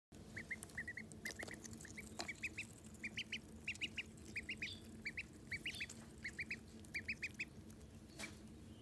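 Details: Call duck ducklings, an older and a younger chick that have started eating together, give rapid high peeps. The peeps are short and bright, come in quick bursts of two or three, and run steadily through the clip over a low background hum.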